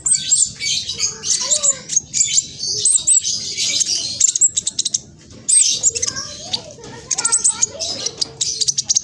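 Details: Black sunbird (king konin), young spotted bird from East Java, Indonesia, giving a fast, scratchy lure song meant to stir other males into singing: dense, very high sizzling chatter in two long runs split by a short pause.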